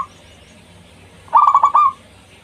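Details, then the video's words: Single phrase from a loud local zebra dove used to lure rivals: a quick staccato series of soft coos ending in a curled, drawn-out final note, in otherwise quiet surroundings. "Perkutut Lokal GACOR suara Besar Ampuh memanggil Lawan EMOSI MANGGUNG PANCINGAN PERKUTUT LOKAL"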